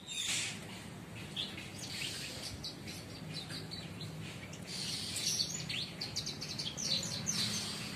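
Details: Captive bushlark, kept for under a month, now starting to sing, recorded on Friday 24 September: a fast, scratchy stream of high chirps and short buzzy notes with brief pauses, over a steady low hum.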